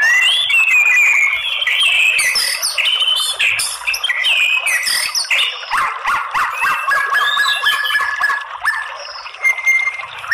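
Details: Fighting-song lure of a white-rumped shama: a long, dense outpouring of varied whistles, trills and chattering notes, many phrases overlapping without pause.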